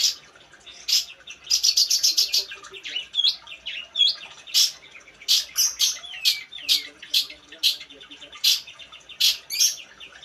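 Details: Long-tailed shrike singing a busy medley of sharp clicks, rapid ticking bursts and short upslurred whistles, with loud high notes repeated irregularly about every half second throughout.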